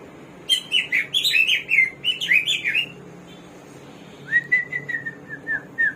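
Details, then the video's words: Hwamei (samyong or garuwa), a bird of 1001 voices, delivers a fast varied burst of bright, twisting whistled phrases for two seconds, pauses, then gives a lower series of repeated slurred whistles. "KICAU BURUNG SAMYONG //GARUWA 1001 SUARA"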